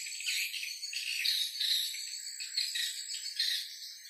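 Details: Swiftlet call played as a lure to attract swiftlets: a dense, continuous stream of high, thin twittering chirps that overlap and shimmer without pause.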